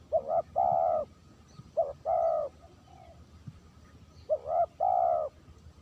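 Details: Spotted dove calling as a lure bird: low, mellow cooing phrases, each a short note followed by a longer, steady hooted note, repeated three times over a quiet rural background.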